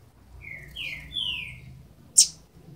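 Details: Double-collared seedeater nestlings, twelve days old; a few thin, drawn-out whistles sliding upward one after another, then a single sharp click.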